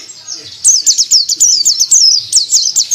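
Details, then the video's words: Sooty-headed bulbul (pleci) recorded casually while the recordist sat nearby; after a quiet start, a fast run of high, sharply rising-and-falling whistled notes repeats rapidly with chattering twitters, no other clear sounds. "Pleci Durasi"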